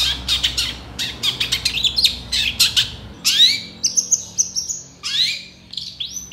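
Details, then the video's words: Long-tailed shrike (cendet) song recorded for training other songbirds: a dense run of scratchy, rapid chattering notes, then clear rising and falling whistles and drawn-out high slurred notes. "SUARA CENDET GACOR DOR FULL ISIAN TEMBAKAN COCOK BUAT MASTERAN BURUNG KICAU APAPUN"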